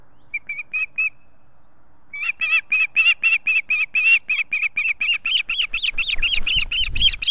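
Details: Osprey at its nest in Estonia with its mate and chick, 3 August 2018: a few short high chirps, then a fast steady series of piercing whistled notes, about four per second, rising in intensity toward the end.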